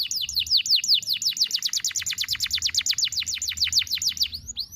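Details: A canary sings a long single-breath phrase meant for training young birds, made of sharp downward-sweeping notes repeated rapidly and evenly, around six per second, with no break for over four seconds.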